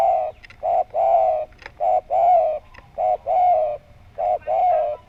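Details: Spotted dove (tekukur), a prolific caller with a round voice, used to lure other doves into calling. Low, throaty cooing notes follow one another closely in a regular, almost continuous series, about a dozen in five seconds.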